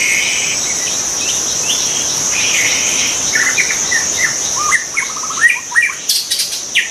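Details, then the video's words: Song of a white-rumped shama in the wild: after a stretch dominated by a droning insect chorus, a lively series of short whistles, trills and clipped notes builds toward the end. "kicau burung murai batu di alam liar"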